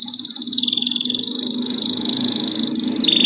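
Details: Home canary delivers a sustained, evenly pulsed high trill ending in a clear whistled note, over a steady low hum.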